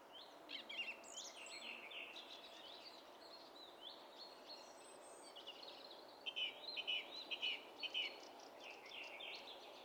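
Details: Song thrush recorded 27 April 2016: a busy jumble of high squeaky and twittering notes, later a short run of four repeated crisp notes, set against a steady background hiss.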